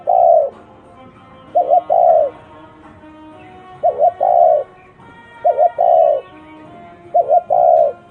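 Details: Unusual spotted dove cooing: four phrases roughly every two seconds, each a stuttered double note then a long, even hollow coo, with a faint tonal hum in the background.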